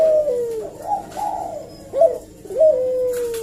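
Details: Barbary dove coo used to provoke an answer: a descending purr, a wavering rolled coo, then two abrupt upslurred notes, each followed by a long slowly falling coo.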